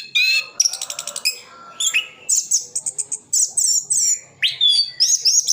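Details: Orange-headed thrush in full song with borrowed phrases, East Java; a rapid rattling trill of repeated notes, then high thin whistles, buzzy chatters and a sharp rising swoop.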